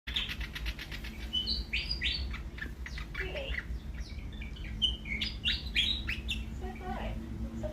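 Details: Australian willie wagtail calling: a lively series of bright, chirpy whistled notes and short sweet phrases, repeated in quick bursts over a low steady hum and faint background clicks.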